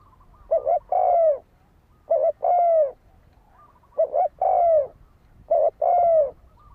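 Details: Spotted dove used as a lure for fighting wild doves: four cooing phrases, each a quick doubled note running into a drawn-out falling coo, repeated roughly every one and a half seconds.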